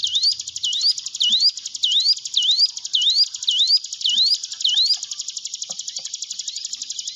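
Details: A string of about ten upslurred whistles, a little over one per second, from a hill prinia, ending in a continuous high buzzy trill. Used to coax silent caged birds into song.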